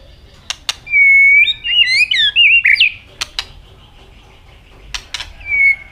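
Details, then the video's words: Asian robin singing: a loud, sustained whistled phrase with sliding and warbling notes, a few sharp clicks, then a short whistled note at the end. "Robin singing"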